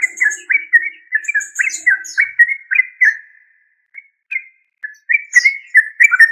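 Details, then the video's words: Yellow-vented bulbul, known as trucuk, a string of liquid, slightly slurred warbling notes repeated quickly, a gap with a few isolated notes, then the bubbly run resumes, with thin high twitters and a faint low hum early on. "Tropical Bird Calls to Relax Yellow Vanted bulbul trucuk"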